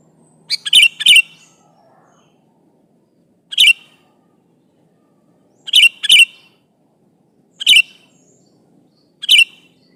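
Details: Sooty-headed bulbul, a chatty kutilang calling an opponent, giving short bright chirps, some doubled and some single, repeated every one and a half to two seconds against a quiet background.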